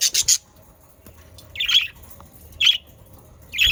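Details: A few loud, separate budgerigar chirps and squawks about one second apart, with quiet gaps between them, from pet birds. Played to get other budgerigars singing.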